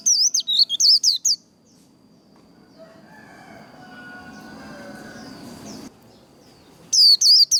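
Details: Líu đấu style white-eye song, meant to stimulate and train singing: quick high chattering phrases open the recording, then a long stretch of low murmuring background noise before the shrill twittering resumes.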